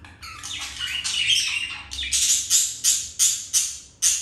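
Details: Budgerigars mating, a male with a female after rejection by another; scratchy warble gives way to sharp high squawks repeated about three times a second, rising and fading each time.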